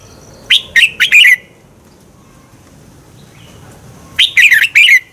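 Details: Red-whiskered bulbul song used to push birds to sing in competition; two phrases of four lively, slurred whistled notes, the second repeating the first after a pause of nearly three seconds.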